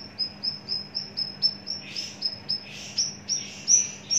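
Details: Mature caged Javan bush lark sings a quick run of high, thin whistled chips, several per second, mixed with a few softer rasping notes, a faint hum underneath.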